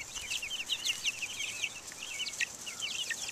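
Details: Buff Orpington, Black Australorp and Americana chicks outdoors in 2010, clear high peeping in rapid runs of short slurred notes from several birds, little else audible.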